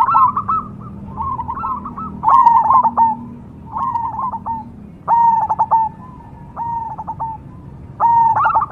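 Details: Perkutut cemani zebra dove, kept for song contests in Indonesia, uttering separate short phrases of clipped rolling coos roughly every second, some phrases stuttered, with quiet gaps between.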